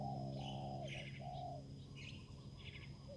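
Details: Spotted dove used as a decoy to lure a rival bird on a bare dirt ground, giving soft, low hooting coos in a short series, with higher chirping from other birds in the background.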